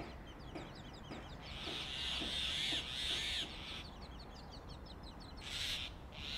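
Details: Grey Hornbills at a sealed nest hole in Delhi during summer, the male passing regurgitated food to the female; drawn-out harsh squealing, then short rough notes, with thin chirping of small birds in the background.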